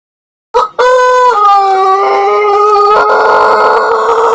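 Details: Pelung chicken rooster from Indonesia in a crowing contest: after a short opening note, a long, drawn-out, steady harmonic crow holds its pitch, dips slightly once, then carries on for over three seconds without a break.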